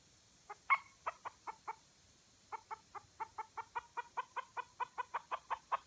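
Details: Red junglefowl in Aceh, where a lure bird has attracted two wild junglefowl. A run of short, clipped clucks repeated about four or five times a second, a brief gap, then a steadier, slightly louder series.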